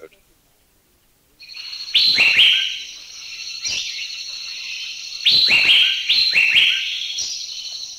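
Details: Asian Fairy-bluebird in a Thai national park giving loud, liquid whistled notes that drop sharply in pitch, in irregular bursts, over a steady high insect-like hum.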